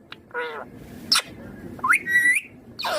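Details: Assorted parrot vocalisations from a ringneck green parrot: a nasal squawk, a sharp click, a rising whistled slur levelling into a steady note, then a harsh burst.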